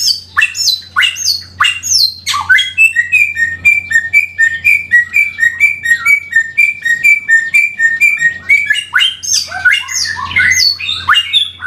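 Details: Black-throated laughingthrush (Pterorhynchus chinensis), song.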